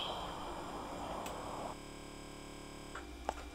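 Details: Soft indoor music with steady sustained tones and low hum, a brief click near the end, and no animal voice.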